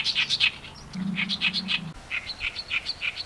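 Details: Oriental reed warbler singing its harsh, grating song: rapid chattering and croaking notes, about three per second, combining frequently used phrases into varied sequences, with a low hum underneath.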